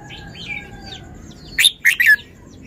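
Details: Red-whiskered bulbul showing its song: soft background chirps and a thin whistle, then one loud, emphatic three-note phrase near the end.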